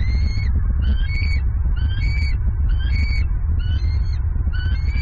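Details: Wild bald eagle pair at their Southwest Florida nest, 27 November 2022; the female screams while claiming a catfish brought by the male. Six piercing, slightly rising screams repeat about once a second against steady low-pitched wind noise.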